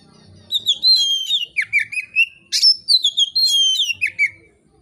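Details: Unhurried, loud oriental magpie-robin song, meant to set off singing in other magpie-robins. A near-continuous run of varied whistled phrases, notes sliding up and down, with a sharp burst midway and a final falling whistle.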